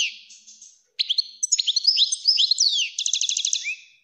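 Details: A European goldfinch (Algerian type) sings a quick, tinkling string of liquid twitters and slurred notes, ending in a fast buzzy trill; an excited breeding song used to tutor young goldfinches and stimulate females.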